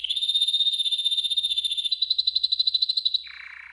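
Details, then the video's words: Yellow golden canary training song: a loud, even, fast-pulsed trill held about three seconds, stepping slightly higher midway, then dropping to a softer, lower buzzy roll. "Yellow GOLDEN Canary 12h Training Song"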